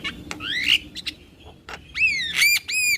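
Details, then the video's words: Male Javan myna singing loud, clear whistles that rise and fall, with sharp clicks before the last two strong arched whistles; the background is quiet. "Suara Alam Jalak Kebo Jantan Bikin Burung Jalak Yang Dengar Langsung Buka Suara"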